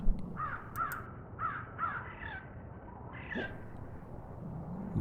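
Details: Crow in Hartsville, South Carolina, giving an unusual pretty call: four short, clear, ringing notes about half a second apart, then a rougher, higher note, over a low background rumble.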